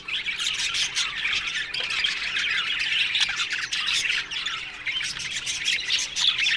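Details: A colony of Australian budgies in an aviary fills the air with continuous raspy squawks and busy twittering, many birds calling together in a steady, unbroken wall of chatter.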